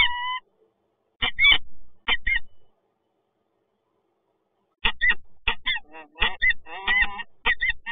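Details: Peregrine falcons, residents meeting in Toruń on 26 August 2022: a short wailing note and a few rasping calls, then several seconds of silence, then a fresh burst of quick, harsh, repeated calls.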